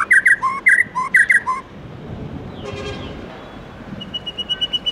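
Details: White-rumped shama singing in the morning in forest-voice style. It opens with loud, rich whistled phrases mixing high and low notes. A short rushing noise follows, and a soft run of high repeated notes ends it.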